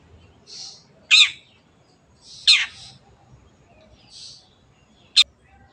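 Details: Long-tailed shrike giving two loud grating notes and a brief sharp tick, with softer hissing sounds between them, over a low background rumble.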